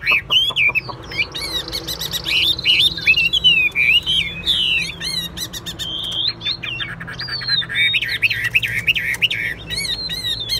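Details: Vietnamese caged Chinese hwamei, kept for song and contests, singing a long rich medley of whistled slurs, twittering runs and a buzzy trill, loud and varied, with brief sharp chips between phrases and low room hum.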